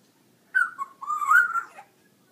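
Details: A 14-week-old female African grey parrot finding her voice gives two short, whistled, wavering calls, the second longer and rising slightly before falling away; otherwise quiet.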